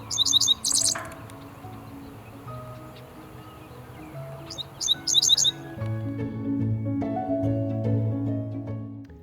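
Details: Dickcissel in mid-June, breeding in grassland near the Twin Cities, Minnesota, singing two short bursts of high, dry, stuttering chirps ending in buzzy notes, several seconds apart, over steady background music.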